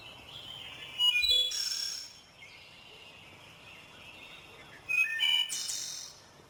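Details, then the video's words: Wood Thrush sings two rich, flute-like phrases about four seconds apart, each ending in a high, shimmering trill, over a soft forest background, in the spring dawn chorus of the Ozark forest. "Its song is a series of complex, flute-like phrases with otherworldly resonance"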